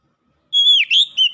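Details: Contest-winning Oriental magpie-robin singing a short burst of loud, pure whistles: a long steady note sliding downward, then quick rising and falling slurred notes.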